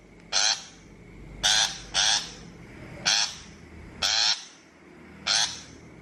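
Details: Shrike calls used to lure birds into traps: six short, scratchy, chattering notes at uneven intervals, including one close pair, against a low background hiss.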